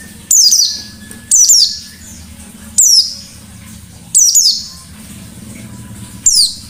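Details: White-eye giving 'ngalas' song: five loud bursts of high, rapidly falling whistles spaced one to one and a half seconds apart, over a low, steady background hum.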